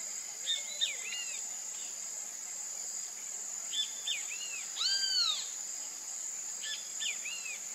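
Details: Great kiskadee (Pitangus sulphuratus), whose call gives it the onomatopoeic Brazilian name bem-te-vi: short bursts of loud, arched, slurred notes in groups of two or three, repeated every couple of seconds over a steady high insect hiss.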